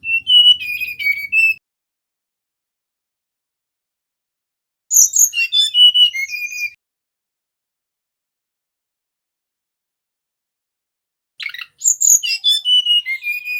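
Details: Male mangrove whistler song used to lure birds: three separate phrases of rich whistled notes, some high, thin and sweeping, others lower and level, each lasting one to two seconds with long silences between.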